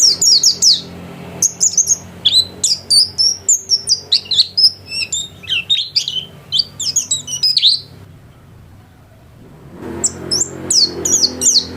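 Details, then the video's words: Actively singing white-eye, a caged home-class bird, gives rapid high, sliding chirps in a long run. The song stops for about two seconds, leaving faint low background hum, then resumes with more quick notes. "Burung pleci gacor kelas rumahan"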